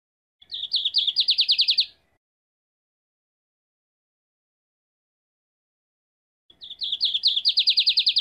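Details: Two identical phrases from a lined seedeater about five seconds apart, each opening with a couple of high notes and running into a quick, buzzy-bright trill of repeated slurred notes, with silence between.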